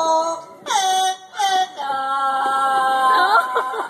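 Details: A male Amazon parrot at Parrot Paradise, African Lion Safari, Canada, sings a learned human tune, "O Canada", in nasal, held notes that slide between pitches.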